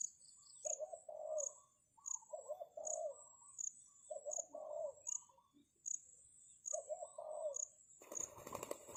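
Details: Spotted dove kept as a lure for wild doves, cooing: four repeated low, rolling phrases of several soft notes each, roughly every two seconds, backed by steady high insect chirps, ending in a sudden loud rustling noise.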